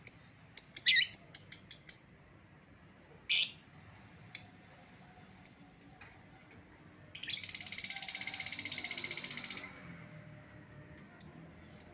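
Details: Lovebird lure call to bring back an escaped lovebird: a quick string of shrill chirps, a harsh screech, scattered single chirps, then a long continuous buzzing rattle of over two seconds.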